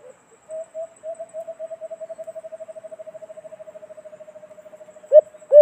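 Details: White-eared brown dove (alimokon) in the Philippines, recording played as a cage-trap hunting lure: low soft hoots begin slowly, then quicken into a long rapid, even train of muffled coos that ends with two loud, emphatic hoots.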